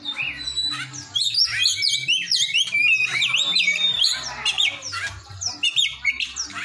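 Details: An Oriental magpie-robin pours out song packed with cinereous tit imitations: strong, sweeping whistles and chattering notes in quick succession over a steady low droning hum.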